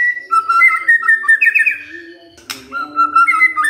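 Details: White-rumped shama lure song meant to make other shamas answer: loud whistled phrases near the middle of its range, one sharp click partway through, and a faint low hum beneath.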